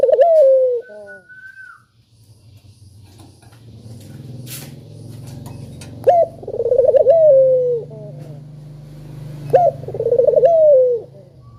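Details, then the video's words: Spotted dove repeating its melodious call, meant as a lure for lazy doves: three coos about three seconds apart, each a sharp rising note, a trill and a long falling tone, with a background rumble and faint clicks. "Burung Puter Gacor Suara Merdu,Tajam Cocok Buat Pancingan Yang Pemalas Bunyi"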